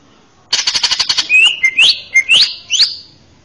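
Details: Caged male greater green leafbird serving as a master for young birds gives a fast buzzy stutter followed by four or five loud, sharply rising whistled notes in quick succession.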